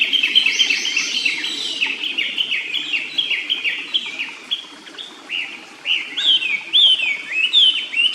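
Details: By a clear stream in a quiet forest near its nest, a Japanese paradise flycatcher repeats short descending whistled notes in a fast chain, pausing briefly midway and resuming louder, with gentle running water underneath.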